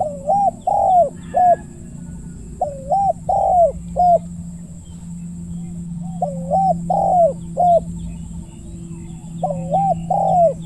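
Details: Decoy spotted dove calling steadily in the countryside: four phrases of deep hooting coos, each a looped note, a long falling note and a short clipped one, repeated every two to three seconds over a low hum.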